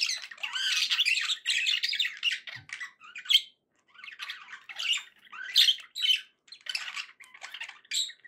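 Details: Caged budgies chatter in raspy warbled bursts of chirps and squawks, a sustained run at first, then shorter phrases separated by short silences.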